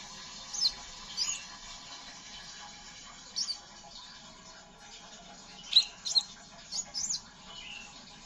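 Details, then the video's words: Scarlet minivet giving ngeriwik-style calls, used to prompt untrained birds to sing: scattered bursts of high, thin chirps and short sweeping notes, clustered in twos and threes with quiet gaps, over a faint low hum. "Suara burung sepah raja ngeriwik pancing burung bahan agar buka suara"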